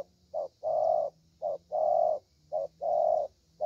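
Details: Spotted dove, young, with the prized 'thổ' voice from Vietnam. Each phrase is a brief coo followed by a long sustained one, repeated about every 1.2 seconds, with a faint steady low tone behind.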